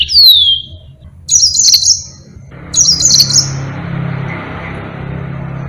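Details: Yellow-fronted canary in energetic, long-running song kept for tutoring other birds: a bright falling whistle, then two short buzzy, high-pitched chirping bursts, followed by a steady low hum and hiss.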